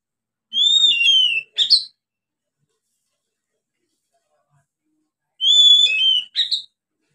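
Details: Young oriental magpie-robin beginning to sing, recorded for use as a lure for other birds: two short phrases about five seconds apart, each a clear whistled slur falling in pitch, followed by a couple of harsh, burry notes.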